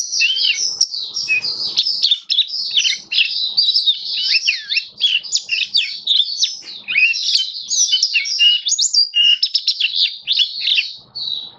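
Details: Caged Oriental white-eye (Mata Puteh Kitaro) in open-singing display, recorded 27 October 2022: a long, fast, unbroken twittering warble of high, thin notes, with rapid slurred rising and falling squeaks and short pauses.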